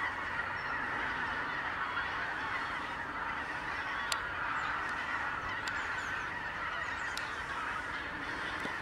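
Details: A large mass of greater white-fronted geese gives an unbroken wall of overlapping honks, steady in loudness throughout, broken only by occasional brief clicks.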